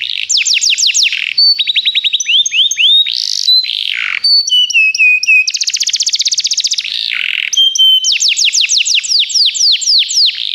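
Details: Training song from canaries, loud and continuous: tours change every second or two, from fast rattling rolls to sweeping whistles, buzzy bursts, twangy paired notes and a rapid dense trill.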